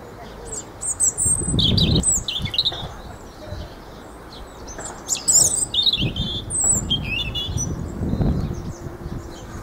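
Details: Robin redbreast song: a string of high, tinkling, quickly changing phrases with short sweeping notes, set against low rumbling background noise and a few soft thumps.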